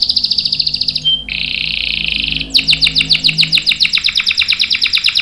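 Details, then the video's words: Canary singing energetically in a long rolling style for prompting and tutoring young birds: a rapid pulsed trill, a brief pure whistle, a smooth buzzy trill, then a long run of quick sharp descending notes. "KENARI GACOR NGEROL panjang bagus untuk PANCINGAN dan MASTERAN paud | CANARY SINGING"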